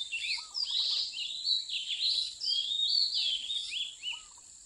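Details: Wild Oriental magpie-robin, caught up in bird trapping by mountain people, dated 8/15/16: rich, varied warbling of slurred and whistled notes running for about four seconds, with a couple of lower whistled phrases and a steady high-pitched hum throughout.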